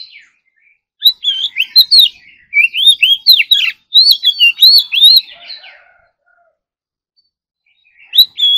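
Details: Oriental magpie-robin in morning voice training, competition singing style: a rapid series of bright, swooping whistles and chattering notes, then a long silence before a short whistled phrase returns.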